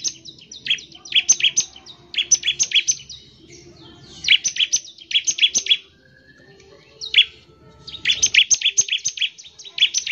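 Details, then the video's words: Quick-fire 'nembak ngebren' song of a bar-winged prinia, used to lure other prinias into singing; clusters of sharp, high notes in bursts of about five, with a longer silent pause mid-way. "CIBLEK GACOR, NEMBAK NGEBREN UNTUK MEMANGGIL CIBLEK CEPAT BUNYI GACOR"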